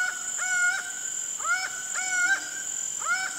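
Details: Laughing falcon (Herpetotheres cachinnans), song.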